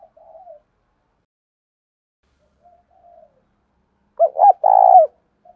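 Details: Spotted dove cooing in the gáy thúc and gáy gọi styles, used to provoke and lure doves: soft, faint low coos early on, a long silence, then a short burst of two loud, hoarse coos near the end.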